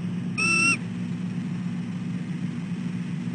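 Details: Female bald eagle at her nest at dawn, 6:34 am on 12/4/13, calling for her mate to take over egg sitting; one short high whistled note with harmonics over a steady low hum.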